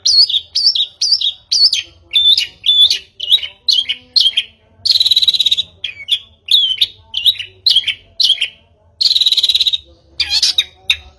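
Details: Long-tailed shrike lure recording used to make a bird sing: repeated short whistled notes around mid-high pitch, alternating with harsh buzzy rasping bursts, in a fast rhythmic series with a faint low hum beneath.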